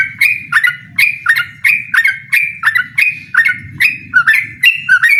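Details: Yellow-vented bulbul calling a rival to a song contest: bright bubbling whistles in rapid succession, each note a sharp flick settling into a short level tone, steady energetic rhythm.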